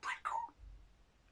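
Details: A pet Grey parrot, talking during a conversation, gives two quick, breathy, speech-like bursts in a mid-pitched voice, asking for an apple, then falls quiet in a small room.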